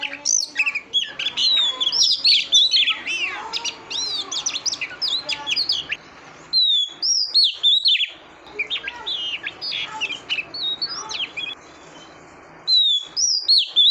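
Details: A female oriental magpie-robin calls to stimulate a male, producing dense, fast runs of high whistles, slurred chirps and quick trills. The runs break off twice into short pauses, over a constant background hiss.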